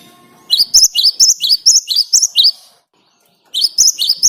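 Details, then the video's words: Great tit (Parus major) song, played as a lure to set other birds singing: rapid repeated high two-note phrases, about eight in a quick run, then a short pause and the same pattern resuming. "Ngalas Ngerol Burung Gelatik Batu Gacor buat Pancingan"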